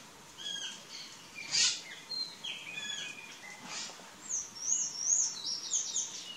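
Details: Plush-crested jays at corn on a trail; several varied whistled and chattering notes, some harsh bursts and bright rising-falling whistles, overlapping calls from more than one bird.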